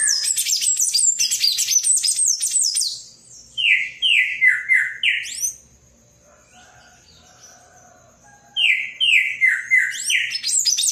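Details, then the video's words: Palm tanager song: fast, tumbling high squeaks, then four or five clear downward-slurred notes. A near-silent gap follows before another run of descending slurs and high chatter. "SANHAÇO-DO-COQUEIRO CANTANDO MUITO!"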